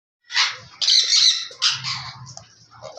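An Alexandrine parakeet gives three loud, harsh squawks in quick succession, each about half a second long, followed by softer chattering notes.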